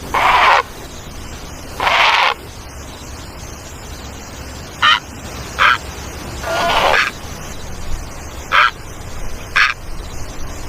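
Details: Great egret calling with drawn-out raspy croaks mixed with shorter clipped ones, about eight in all, over steady background hiss.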